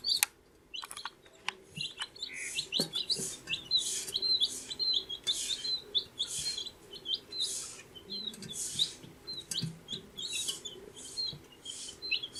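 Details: A group of 14-day-old baby chicks peeps continuously: dense run of high, short, wavering chirps from several birds at once, with hissy rustling bursts and a few sharp clicks.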